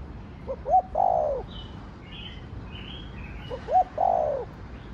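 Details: Spotted dove in the 'thổ đồng' voice, cooing to provoke other caged doves: a soft two-part coo, short notes then a longer falling coo, repeated twice about three seconds apart, with faint higher bird chirps behind.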